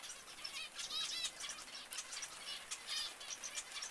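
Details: Zebra finches call in quick bursts of bright, nasal toots and squeaks, several birds overlapping in rapid succession over a steady hiss.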